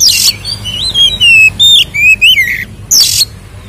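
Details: Kacer, the Oriental magpie-robin, singing a ngeplong fighting song with fill-ins to provoke rival birds; harsh burst, then loud sliding whistles and a rapid falling trill, ending with another harsh rasp.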